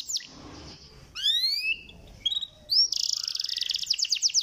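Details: Canary song for stimulating lazy canaries: scattered high chirps, a rising whistled slur with a buzzy overlay, short pauses, then a dense fast rattling trill.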